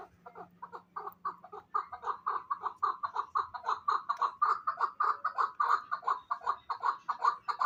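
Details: Hybrid fighting chukar partridge giving a long series of rhythmic, throaty chuck notes that start softly and grow louder and quicker, with a faint low hum early on.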